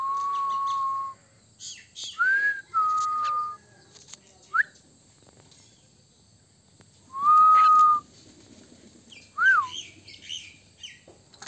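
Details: Common myna kept as a pet in India giving scattered whistles: steady level tones of about a second, short rising slurs, and a bright sustained whistle later, separated by pauses with faint clicks and household noise.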